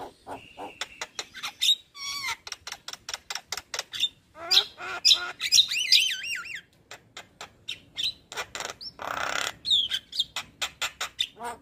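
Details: Javan myna with white eyes, played to stir silent birds into singing: fast run of clicks about twice a second, wavering warbled whistles and a harsh rasping burst.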